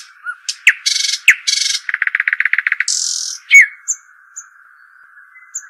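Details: Arabian babbler, called shuhaim or dakhal: sharp upswept chirps, two broad buzzy bursts, a rapid rattling trill, a harsh hiss and faint thin whistles over a steady high whine.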